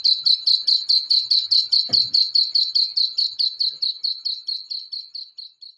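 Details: Black francolin chicks producing a regular stream of high-pitched peeps, about two and a half per second, gradually softening toward the end, with a brief low rustle early on.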